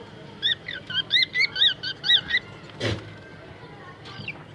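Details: A cockatiel at the start of the 2021 egg-hatching season gives a rapid run of short, rising and falling chirps, followed by a sharp click.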